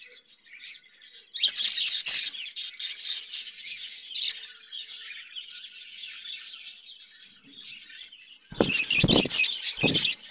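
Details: Budgerigars in a cage keep up a loud, dense, high warbling chatter of scratchy chirps, ending with several heavy low thumps mixed into the calls.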